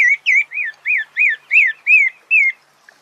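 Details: Sabiá (thrush) gives a rapid sequence of eight clear whistled notes, each an arching slur that rises and falls, spaced evenly about a third of a second apart.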